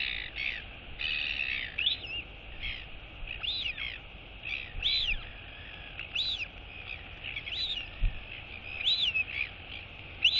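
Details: Royal albatross chick wheeing to its feeding mother on 23 August 2022, begging her not to leave. Rapid, scratchy high chirps and arched whistles run almost continuously in uneven bursts over background hiss.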